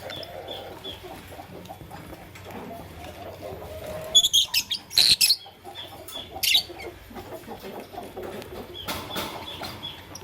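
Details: Morning chirping of lovebirds, Fischer's and masked kinds: a loud run of harsh, piercing high chirps in quick bursts, then a pause and another short burst, over a soft murmur of distant birds and a steady low hum.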